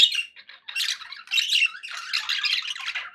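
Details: Contented pet budgerigars produce rapid, scratchy, high-pitched warbling with squawky bursts and brief pauses, in a small room.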